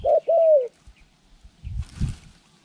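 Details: Spotted dove used as a trained decoy for bird trapping, recorded January 14, 2020: two low, mellow coo notes, the second longer and slightly falling, then silence with a few dull thumps and a brief rustle.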